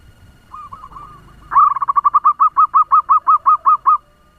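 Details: Zebra dove (local perkutut) used as a lure bird, giving a few soft opening notes then a fast run of rounded mellow coos, about three per second at one even pitch.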